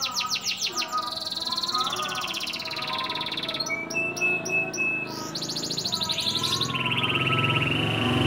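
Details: Local bottle-green canary, a frequent winner at training and practice contests in Gresik, Indonesia, sings continuously: fast buzzy trills, rolling rattles and high whistled phrases, changing every second or two with hardly a pause.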